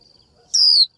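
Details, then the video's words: Single female Japanese white-eye 'chíu' call, given to attract a male and trigger his song. One loud, sharp whistle falls quickly in pitch, preceded by a quiet steady high hum. "Chim vành khuyên mái chíu gọi trống cực hay, kích bổi hót ngay!"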